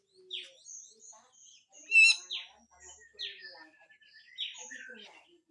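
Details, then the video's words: Grey-cheeked bulbul in harsh full song: scattered high chirps and short downward-sweeping notes, with one loud sharp burst near the middle and thin whistled tones between phrases. "MASTERAN CUCAK JENGGOT FULL KASAR DAN BESETAN"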